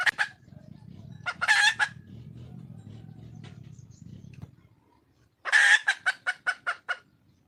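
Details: Calling for a mate, a wild red junglefowl hen gives a loud rasping squawk among brief notes, falls quiet for several seconds, then bursts into another squawk followed by six rapid, evenly spaced clucks.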